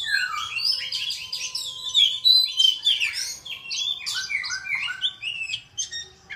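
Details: Bird singing well: fast, varied run of sweet whistled notes and chirps, some slurred downward, others rising, delivered almost continuously with brief pauses.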